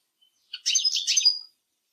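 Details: One brief, high twittered burst from a Eurasian siskin, about a second long, rich in quick slurred notes.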